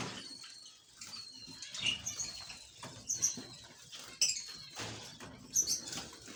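Budgerigars give scattered high, thin chirps and short scratchy notes over a soft hiss.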